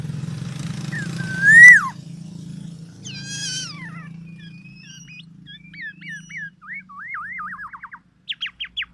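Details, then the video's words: Distinctive black-naped oriole calls: a nasal, slurred, mewing note, then twisting whistles, short repeated hooked notes and a quick series of wavy phrases ending in sharp downstrokes. "SUARA BURUNG KEPODANG EMAS YANG KHAS"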